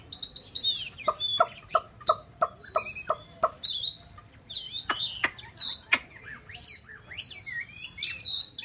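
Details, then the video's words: Chinese hwamei giving a string of clipped, clucking notes at an even pace, then switching to loud, looping whistled phrases. "chim họa mi"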